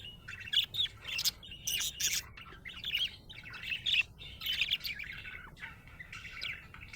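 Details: Happy budgerigar chirping: rapid, bright twittering bursts and short warbles repeated through the clip, with brief pauses between phrases and a faint low background hum.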